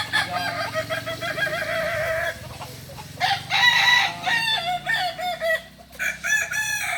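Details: Balenggek rooster in a crowing contest at Ampang Kualo, Solok city: long runs of rapid stepped crow syllables, about three a second, alternating loud bursts and softer passages, with brief pauses between phrases.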